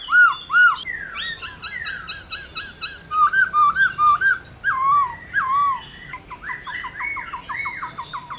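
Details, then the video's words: Laughingthrush giving loud 'réo' song to rouse other laughingthrushes into singing: clear whistled phrases sliding down, then a string of looping up-and-down whistles and a final run of short fast rising notes. "Khướu Hót RÉO Kích Khướu Bạn"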